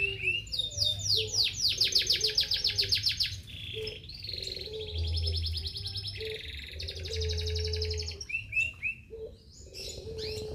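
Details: Canary delivering bursts of quick high chattering trills and rattling phrases, changing pitch and speed between sections, with low background humming.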